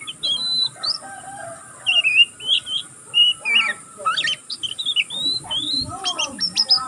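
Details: Young oriental magpie-robin, still learning, sings a continuous twitter without pause: varied short whistled notes and slurred rising and falling phrases, some buzzy bursts, delivered in quick uneven bouts with brief gaps.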